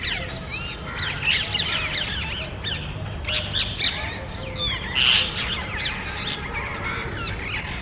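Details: A small flock of parrots exploring electrical and TV cable boxes for a nest site in a neighborhood; continuous chatter of overlapping harsh, sweeping squawks with a louder shriek about two-thirds through.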